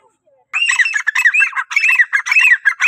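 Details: Grey francolin call meant to lure other teetar: after a brief quiet start, a loud, continuous burst of harsh, squawking, ringing notes pours out in quick succession until the end.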